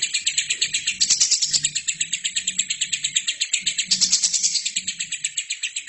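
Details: Lovebird in full, vigorous song, recorded as a tutor track for training other birds: a dense, shrill chattering of rapid high chirps pulsing several times a second without pause, with faint low hum beneath.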